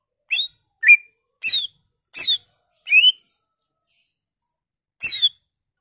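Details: Greater green leafbird singing to stimulate other leafbirds, delivering five spaced sharp whistled and buzzy notes, a gap of nearly two seconds, then one final rich, harsh note.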